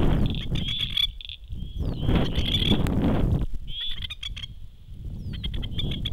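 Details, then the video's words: At the edge of a dam, adult masked lapwings call and call to chicks out on an island. Bursts of fast, metallic, stuttering notes come in bursts separated by short pauses, over heavy low-pitched wind noise. "Masked Lapwings calling chicks"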